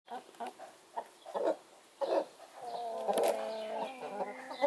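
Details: Broody Brahma hen off her nest, running about during her once-daily break to empty her gut, eat, drink and clean her feathers; soft scattered clucks, then a drawn-out, harmonic, nasal complaining call.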